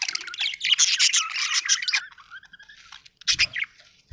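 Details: Happy budgerigar chirping in dense, rapid bursts of high scratchy warbles for two seconds, then a thinner trailing chatter and a brief sharp squawk near the end.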